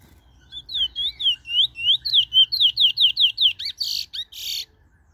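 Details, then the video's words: A bullfinch in Trinidad delivers a long, loud series of slurred whistles that speed up into sharp, clipped notes, finishing with two harsh, rasping bursts. "bullfinch in Trinidad"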